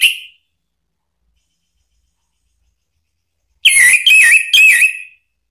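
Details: Orange-headed thrush song intended to provoke a caged bird into singing: the end of one whistled phrase, a pause, then a phrase of three quick wavy, looping whistles, bright and loud.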